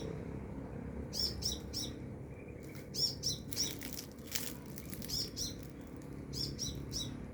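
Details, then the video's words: Sunbird some way off giving sharp, high chirps in small groups, mixed with soft fluttering wing sounds and a faint rushing noise. "Burung Kolibri gacor"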